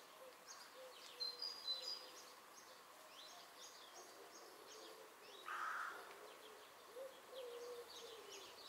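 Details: Long-eared owl chicks in Krasnodar Krai, Russia. One hoarse, squeaky, drawn-out note comes halfway through, with a few faint lower whistles and a steady background hiss.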